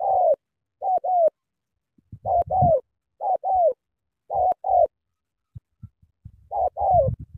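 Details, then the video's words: Cà Mau spotted dove delivering energetic sắm thổ cooing: clean doubled coos with falling tails, in bursts separated by short pauses. Faint low knocks and rustles can be heard between phrases. "Sắm thổ quá hăng hàng gù tuyệt vời"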